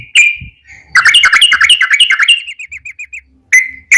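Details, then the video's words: Yellow-vented bulbul singing a rolling 'ropel' lure song to get other birds calling: one whistled note, then a rapid chattering trill that slows into evenly spaced short falling notes, then another clear whistle. "trucukan gacor ROPEL PANJANG buat pancingan trucukan agar bunyi"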